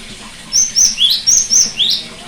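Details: Song of a cinereous tit, played to prompt a silent bird to resume singing: six bright, high whistled notes in about one and a half seconds, level high notes alternating with lower upward-sweeping ones, clear over soft background hiss.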